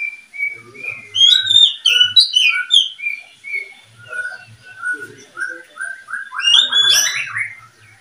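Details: Caged murka pair, a white-rumped shama and oriental magpie-robin kept for breeding, delivering a long string of loud whistled and slurred notes, steady then rising, ending in a harsh buzzy burst.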